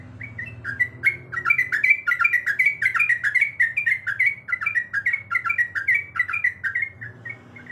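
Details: Female sooty-headed bulbul in breeding condition calling the male: a fast, continuous run of short, bubbly whistled notes, rising and falling, about three per second, with a faint low hum underneath.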